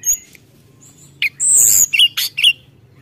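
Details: Brown-chested jungle flycatcher singing hard to provoke rivals: a short high phrase with a long hissing, buzzy note followed by three sharp whistled chips.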